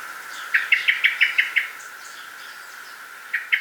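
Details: A Eurasian Blackbird in a garden in Hampshire, UK, in 2020 gives its noisy metallic alarm call: a quick run of six sharp "pip" notes, then a pause and two more, over faint background hiss.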